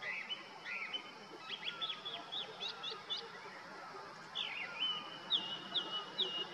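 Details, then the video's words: Male Grey-winged Blackbird calling out territorial song down a summer valley in the Uttarakhand Himalaya: a string of quick chirped notes followed by a clear sweeping whistle and sustained trilled ending, with faint distant calls beneath. "Thrush calls out with abandon: Grey-winged Blackbird sits on deodar twig and trills out aloud"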